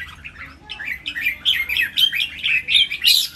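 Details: Red-whiskered bulbuls kept in cages and matched against each other in Thailand's counted-phrase singing contest: a fast, lively string of short whistled and chirped notes, rising in loudness toward the end.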